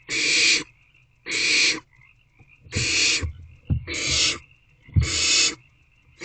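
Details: Barn owlets squirming in a nest box at night, 10:26 pm, 5 March 2024. Five loud, breathy hisses, each about half a second long, come roughly every 1.2 seconds, with soft low thumps of movement between them.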